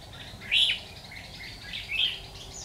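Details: Fighting song of red-whiskered bulbul recorded while trapping wild birds, October 2019. Two quick, clear, chirpy warbled notes come about one and a half seconds apart against soft high twittering and light ambient noise.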